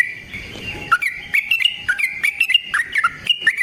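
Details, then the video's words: Yellow-vented bulbul (trucukan) giving a long rolling fighting song used as a lure to make other bulbuls answer: bright, bubbly whistled notes jumping up and down in quick, uneven bursts, getting louder and busier after the first second. "Burung TRUCUKAN GACOR Ropel Panjang Cocok untuk PANCINGAN Trucuk bahan dan MASTERAN Burung Trucukan"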